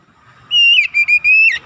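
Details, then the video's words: Oriental magpie-robin in full song, used as a fast lure to excite other magpie-robins: a loud, steady, pure whistled note that breaks into three short clipped whistles ending in a sharp upward flick. "PANCINGAN TERCEPAT MENAIKAN EMOSI KACER GACOR DENGAN CEPAT"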